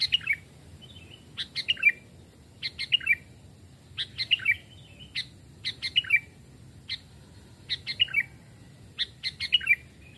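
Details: Sooty-headed bulbul, a caged trapped bird two or three years old raised from a chick, tested for voice in a forest; short bright whistled phrases with a falling flourish, repeated about every 1.2 seconds over a faint low hum.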